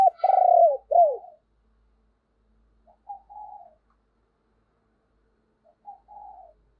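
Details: Spotted dove decoy calling to stir other doves: a loud opening with a long falling coo and an arched note, then two soft, separate phrases of a short note and a drawn-out coo.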